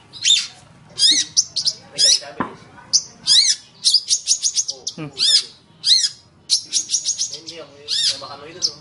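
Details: Long-tailed shrike song for training other cage birds: repeated scratchy, rising-and-falling chattering phrases in quick bursts, separated by short pauses, with a lower rasping note near the end.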